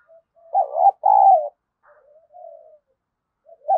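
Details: Spotted dove acting as a fight-provoking decoy. A soft lead-in note is followed by two strong mellow coos, a quieter drawn-out coo, then the start of the next loud phrase.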